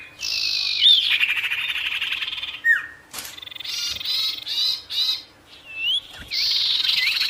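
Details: Sirtu bird in full varied song meant to provoke nearby wild birds: harsh buzzy rattles broken by looping whistles, abrupt pauses and bursts of high twittering.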